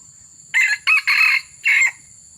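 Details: Red junglefowl crowing during a session to lure wild junglefowl: a short, harsh four-part crow, the second and longest phrases strongest, each burst separated by brief gaps, over a steady high-pitched whine and faint low rumble.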